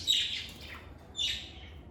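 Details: Lovebirds recorded in a calm, stress-free environment give two high, scratchy chirps about one second apart, the first longer and trailing off, over a faint low hum.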